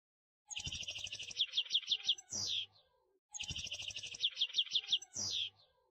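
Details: European goldfinch klakla song: a buzzy, rattling opening runs into a quick string of clear high notes and ends on a sharp slurred downward note. The same phrase is heard twice, about three seconds apart, in a quiet setting.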